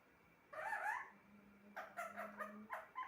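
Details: Pet parrot talking in a room: a warbling voice-like phrase, a pause with a low steady hum, then a string of four short chopped syllables.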